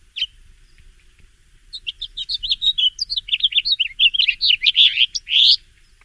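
House Finch song: a fast, bright warble of up-and-down notes, ending in a buzzy slurred note, with a short chirp before it.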